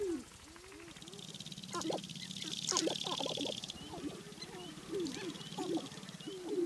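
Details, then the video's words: Sharp-tailed grouse males at a spring lek in Wisconsin's Namekagon Barrens, battling and dancing for hens; many overlapping short curved cooing notes and clucks, with a rapid rattling foot-stamping patter and high buzzy hiss. "Sharp-tailed Grouse Lek"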